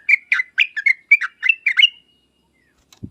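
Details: Yellow-vented bulbul in lively song played to prompt other birds to answer: a rapid, bubbly run of warbled notes lasting about two seconds, then a trailing thin note and a soft thump.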